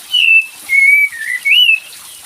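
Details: Olive-winged bulbul lure sound meant to make a quiet bird sing: three clear, slurred whistles, the first falling, the second level, the third rising then falling, over a steady high hiss.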